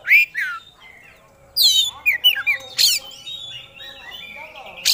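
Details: Oriental magpie-robin, a competition songbird, singing in a lively burst of its repertoire: a rich falling whistle, a pause, then a rush of harsh scratchy notes and sweet slurred whistles.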